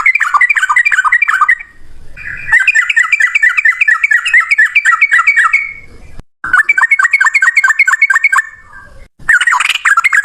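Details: Yellow-vented bulbul in loud ropel song, delivered in long single-breath runs. Three extended volleys of rapid, bubbly, slightly wavering notes pour out almost without pause, separated by brief gaps.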